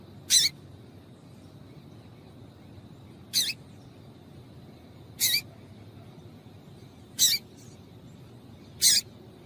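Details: Female Double-collared seedeater call to stimulate male song: five short, high, sharp chirps spaced roughly two seconds apart over a steady faint hum.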